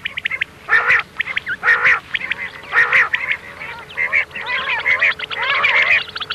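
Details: Rhythmic bursts of arching, nasal quail calls, roughly one a second, the 'miankan' call used for hunting common quail at night; a faint steady hum runs throughout.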